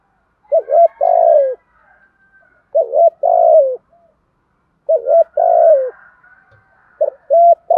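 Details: Lure spotted dove repeating a thúc gù phrase about every two seconds, four times: two quick hollow notes, then a longer vibrating coo falling away. The surroundings are otherwise quiet.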